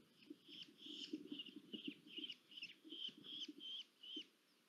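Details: A female red-footed falcon bringing food deliveries at Polgár, Hungary, on 1 August 2022 gives a quick series of shrill, scratchy kew notes, about two per second. Soft low rustling and thumps sound underneath.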